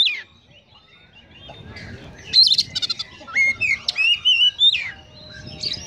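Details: Konslet-style song of an Oriental magpie-robin, with mimicked Eurasian tree sparrow phrases: a quiet start, then rapid chirps, stuttering trills and bright, wavering whistled notes in the second half.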